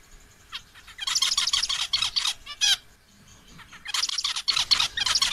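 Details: Male zebra finch directing calls at a female: a few soft opening notes, then a rapid stream of rasping, buzzy syllables and a sharp nasal note, a pause, and another dense buzzy burst.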